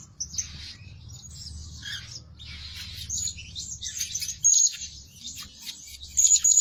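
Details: Blue-crowned hanging parrot kept as a lure bird that calls day and night: a long run of high, thin, scratchy chirps and sharp squeaks, louder shrill notes toward the end, over a soft low rumble.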